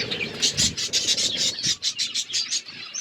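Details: Budgerigar flock chirping: a quick run of evenly spaced high tweets, roughly four per second, over a soft low rumble with a couple of duller knocks.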